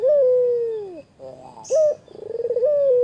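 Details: Loud, close white Barbary dove, singing actively against a rival: a long smooth coo sliding down at the end, soft murmurs, a short sharp coo, then a rolling pulsed build-up into another held note.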